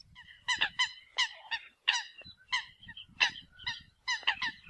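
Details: Eurasian coot calls used as a decoy recording: short nasal honking notes, each rich in stacked overtones, in loose clusters of two or three and spaced irregularly across the clip, with faint low rumbling underneath.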